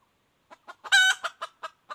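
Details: A wild red junglefowl hen, recorded in 2021, gives a few soft clucks leading into one loud, rasping, stretched cackle note, then more evenly spaced short clucks.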